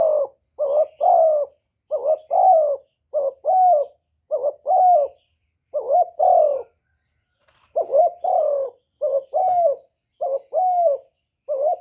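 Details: Spotted dove cooing, used to lure wild doves: low hoarse coos around the same pitch in short paired phrases, a brief note then a longer slurred one, repeated steadily with a pause near the middle; no other sounds.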